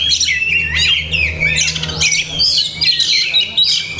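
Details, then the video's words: Oriental magpie-robin, kacer, with a song packed with masteran. Warbling whistles and buzzy chatters roll on continuously, rising and falling, over a low droning hum. "Banyak Masteran iNi Kacer"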